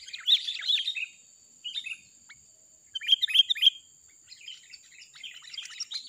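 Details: Lively, chatty song of a wild sooty-headed bulbul, used as a trapping lure. Bright chirpy phrases arrive in short bursts separated by brief pauses, with a rapid run of three to four notes midway.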